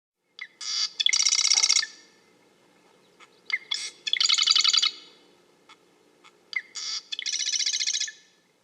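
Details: A marsh wren sings three times, each song a few dry ticking notes leading into a fast, buzzy, rattling trill, repeated about every three seconds.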